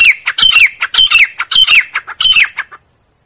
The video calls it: Grey Francolin Sound | Francolin Calling | Grey Francolin Voice | Teetar ki Awaz